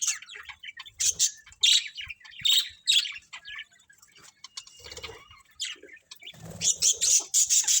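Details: Colony of colourful pet budgerigars chirping: bursts of high, scratchy chirps and warbles, loudest near the start and again in the last seconds, with a quieter stretch of softer chatter in the middle.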